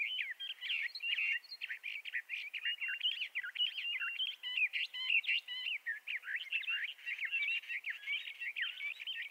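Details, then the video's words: Bendire's thrasher singing a long, unbroken run of rapid warbled notes, sweet slurred whistles rising and falling with little pause, steady and clear over a quiet background. "Bendire's Thrasher Bird Song"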